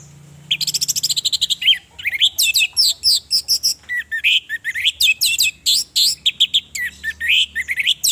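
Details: Orange-headed thrush singing loud, fast, varied phrases, a quick high rattle giving way to sweet whistles and harsher chattering with barely a pause; used as a lure to stir males to sing, described as a female luring males.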